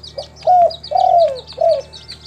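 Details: Spotted dove, a local tekukur kept in a collection in Timika, Papua, sings a clear three-note coo: a short opening note, a long, slightly falling coo and a short final note. Faint high chirps of small birds behind.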